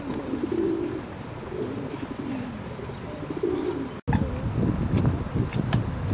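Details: Ring-necked duck calls: soft low tonal notes with gentle upslurs for four seconds, then a brief break followed by louder low rumbling and scattered clicks.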